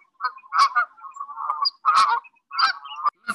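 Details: Canada geese with their young in the Chicago area give loud, nasal honks, three main blasts about a second apart with rougher lower notes between.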